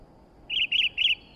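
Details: Sooty-headed bulbul singing: three quick bubbly phrases around the upper-middle pitch, each a short warbled burst, given in close succession over a faint steady background hiss.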